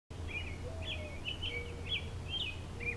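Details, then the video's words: American robin perched on a pine tree branch, singing a steady series of short, slurred, warbled phrases about every half second, with a low constant hum and a faint thin tone underneath. "American Robin Singing"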